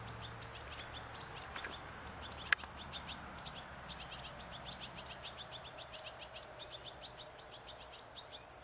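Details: Juvenile European goldfinch begging while waiting to be fed sunflower seeds, late August 2014; a persistent run of sharp, high-pitched chirps, several each second, over steady low background noise with one loud tap.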